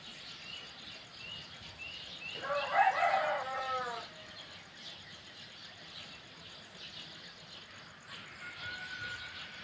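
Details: Birds on a village morning: a loud, harmonic, crow-like call lasts about one and a half seconds, followed by faint chirps and a thin whistled note later. A steady high hiss runs throughout.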